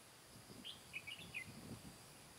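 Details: A single brisk phrase from a Red-whiskered bulbul decoy, recorded during trapping on 15 July 2017 while luring wild birds: five or six clear, bouncing chirped notes, slightly falling in pitch, with soft rustling beneath.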